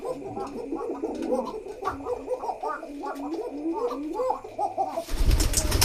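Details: Pigeons in a pigeon house, their love cooing forming a dense chorus of low rolling coos repeated continuously, ending in a loud burst of rustling or handling noise.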